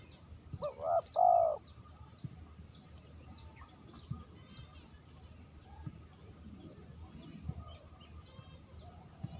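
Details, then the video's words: Spotted dove lure call opens the recording with a short rising note and a longer coo, followed by several seconds of mixed chirping from other birds and low background noise. "suara terkukur pikat bersih"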